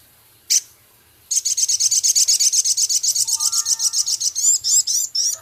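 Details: Male Javan cochoa singing actively, with scarlet minivet imitations and rough rattling chatter: one sharp high note, then a long, fast, high rattle that shifts into quicker twittering slurred notes near the end.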